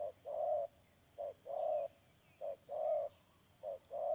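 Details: Spotted dove used as a lure for trapping, recorded 31 May 2022: a regular rhythm of short coo followed by long mellow coo, three clear pairs in four seconds, with a steady high-pitched drone behind.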